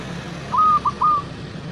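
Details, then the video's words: A local zebra dove, used to stimulate other zebra doves to breed and call, gives three soft whistled coos near one pitch, a long note, a short one, then another long one, over a low steady hum. "Suara Perkutut Lokal Yang Bagus Cocok Untuk Pancingan Cepat Birahi || Nguwor Manggung Gacor"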